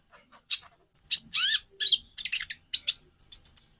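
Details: White-rumped shama song, played to get other birds singing: a rapid jumble of sharp chirps, a clear high whistle and a slurred downward note, in short bursts close together.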